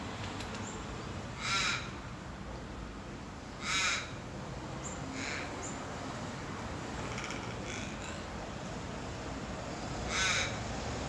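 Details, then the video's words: Australian crow giving about four harsh, drawn-out caws, spaced roughly two to six seconds apart, over steady loud background noise with faint distant chirps. "Crow song. Australian"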